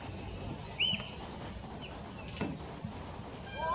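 One sharp, high 'kik' from a great spotted woodpecker, with faint thin notes from other birds and a low outdoor rumble behind.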